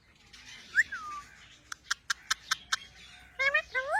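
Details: Mian mithu talking parrot: one bright swooping whistle, a run of six sharp evenly spaced clicks, then a pair of rising harmonic calls at the end.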